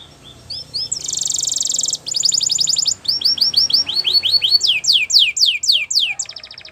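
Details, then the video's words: Belgian canary singing a training song: soft chirps open into a loud buzzing trill, then rapid rattling rolls and a run of bright, sweeping slurred whistles repeated several times a second, ending in a fast dry trill. "Canary Training Song Video | Belgian Canary Singing"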